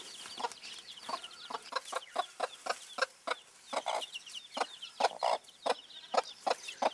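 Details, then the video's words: Dwarf chicken mother hen, broody and caring for her chicks, clucking steadily in quick low pulses, about two or three per second, with the chicks' high peeps running continuously behind. "Glucke in Aktion Hühnerkücken Hen hen chicks in action"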